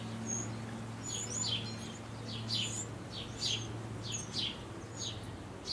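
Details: Eurasian wren chicks begging during final feedings before fledging; rapid series of rasping descending chirps roughly every half second, with faint thin squeaks above and a steady low hum beneath.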